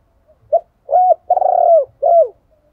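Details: Spotted dove decoy cooing, male and female calls used to stimulate doves in training: a short soft note, then three low mellow coos, the middle one longest with a slight quaver, the last dropping away. Quiet background.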